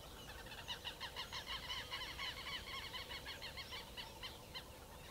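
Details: Rapid harsh chattering from a chalk-browed mockingbird, a bird known for a large repertoire that includes imitations. Raspy, rich notes follow each other about three times a second throughout, over low background noise.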